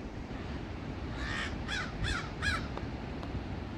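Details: Crow fighting a hawk, possibly a northern goshawk or osprey; four harsh caws in quick succession in the middle, over steady low outdoor rumble.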